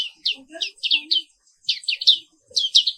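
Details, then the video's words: Black-capped white-eye (Zosterops atricapilla) singing in the morning, high sharp downslurred chirps in quick clusters of two to four, with faint lower murmuring sounds beneath. "Suara Terapi Pagi Pleci Papua Wiklus | Auto Aktif & Ngerol Terus"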